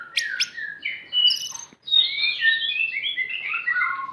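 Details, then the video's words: Aceh-type white-rumped shama with high sharp notes and thin whistles at the start, followed by a rapid descending cascade of clear whistled phrases. "murai batu aceh,isian mewah gaya mantap"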